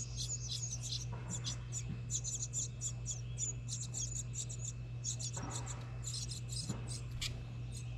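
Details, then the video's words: House wren nestlings being fed in a recycled license plate birdhouse outside a home in New England; rapid runs of high, thin, scratchy chirps come in bursts, over a steady low electrical hum. "House Wren Feeds Babies!"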